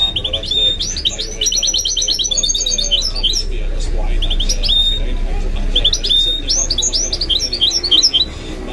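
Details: Mule goldfinch-canary hybrid pouring out long twittering phrases of rapid high chirps and short trills, broken by brief pauses between bursts, with a low constant hum underneath.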